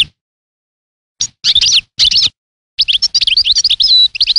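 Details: European goldfinch singing a lively, tinkling twitter of rapid chirps and liquid trills, phrases broken by short pauses, with a sustained whistled note near the end.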